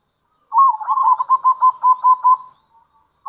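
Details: Local zebra dove used as a lure bird; one long rolling phrase of about nine quick bubbling coo notes, fading out at the end.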